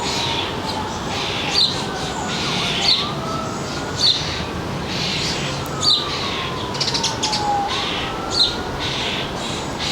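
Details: Suburban backyard feeder birds, northern New Jersey, afternoon of 3 July 2022: a single bright chirp repeated six times at irregular intervals of one to two seconds, while a distant siren wails and slides in the background.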